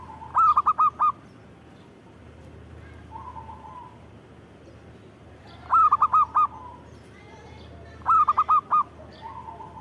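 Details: Zebra dove singing: three cooing phrases, each of four quick, bubbling notes at a mid pitch, spaced several seconds apart. Some phrases are followed by a softer, lower drawn-out coo, over a faint background hiss.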